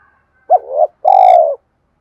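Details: A spotted dove calls to lure wild doves in: two clean, low coos, the first short and wavering and the second longer and steady, then silence.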